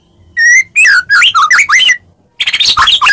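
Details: White-rumped shama fighting lure song meant to make other shamas answer: loud clear whistled notes, sliding and warbling in quick succession, then a harsher scratchy burst of rapid notes.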